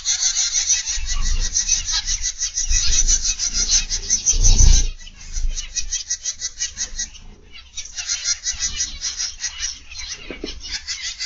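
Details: Captive zebra finches in an aviary, 31 August 2021, PM: fast run of nasal, buzzy beeping calls, about three a second, fading briefly then resuming, with a low bump and background hum.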